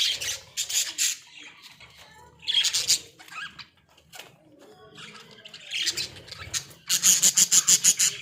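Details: Caged Australian budgies enjoying themselves in a small cage: sharp chirps and scratchy chatter, ending in a fast run of about eight evenly spaced, piercing high chirps.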